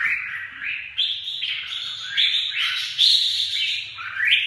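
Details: Red-whiskered bulbul song: a string of short, rising, whistled phrases, each sliding upward and repeated about once a second, with one brighter, higher note near the end.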